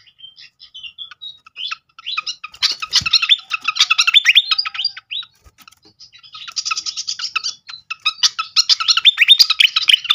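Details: Flycatcher (srikatan) singing in a lure recording meant to trigger song: sparse high notes building into two long spells of rapid, scratchy twittering, about three notes a second, split by a brief quieter pause.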